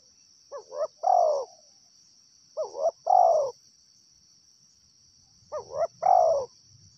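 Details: Wild spotted dove repeating a soft, hoarse cooing phrase three times, about every two and a half seconds. Each phrase has two quick rising notes and then a longer, louder, falling coo, over a constant high insect-like whine.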